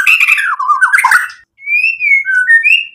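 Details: Song of a white-rumped shama meant to make rival birds respond: a jumbled, warbling rush of varied notes, then pure, clear, sliding whistles rising and falling after a short pause.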